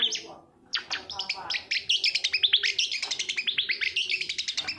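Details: Cendet, the long-tailed shrike, singing as a lure sound to stimulate other shrikes: a brief gap, then rapid runs of short, sharp high chips and whistled notes delivered in a steady fast rattle, with a faint low hum behind.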